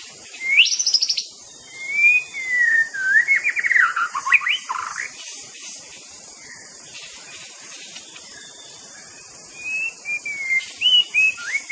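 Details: White-rumped shama, a songbird that mimics other birds, giving loud whistled phrases with rising and falling slurs and quick trills for about four seconds, then a pause before more short whistled phrases near the end; faint background hiss.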